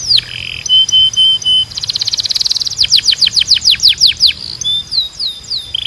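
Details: Canary song meant to train other canaries: flat whistled tones, then a dense buzzy trill followed by a rhythmic series of loud descending sweeps, about three per second, ending in softer whistles.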